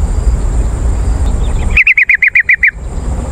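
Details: Yellow-vented bulbul lure recording to attract wild birds. After a pause, a crisp run of eight evenly spaced bubbly notes in under a second. Soft distant chirps and steady background hiss.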